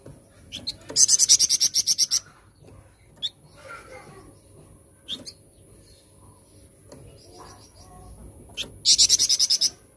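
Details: Flamboyan bird singing loudly in gacor style, giving two bursts of rapid, harsh, very high pulsed notes several seconds apart, with sporadic short chips and faint twitters between them.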